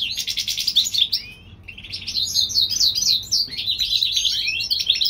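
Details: A European goldfinch hybrid sings in spring in California, a quick trilled phrase, a brief gap, then a bubbling string of high twittering notes.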